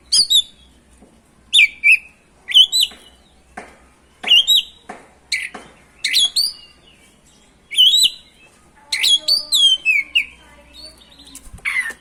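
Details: Oriental magpie-robin (kacer) in nonstop 'ngerol' lure song meant to make other magpie-robins sing: repeated sharp whistled notes and chips about a second apart, building into a rapid, varied warbling run near the end.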